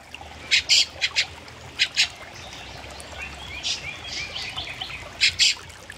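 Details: Two young fieldfares perched on branches give short, harsh, noisy calls in small bursts, about eight in six seconds, with faint higher chirps of other birds between.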